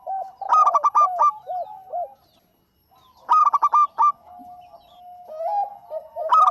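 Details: Local zebra dove in lively full song, kept as a lure to stir other birds: bursts of rapid, hollow, stacked coos followed by longer rolling coo notes, phrases returning every few seconds with a second lower cooing voice overlapping.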